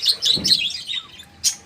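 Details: Several parakeets from a small owned colony trade rapid high chirps and tweets, a busy run of squeaky notes that fades out, then one sharp squawk near the end.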